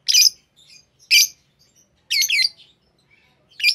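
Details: Captive green Fischer's lovebirds uttering harsh, squawky chirps about once a second, with faint twittering between.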